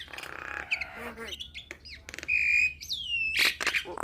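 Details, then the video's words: Nias hill myna producing a jumble of rough notes, short curving whistles and a long steady whistled tone, with sharp clicks and harsh bursts around it. "Jalak Nias Malas Bunyi Langsung Gacor Dengar Kicauan Jalak Nias Isian Mantap Ini"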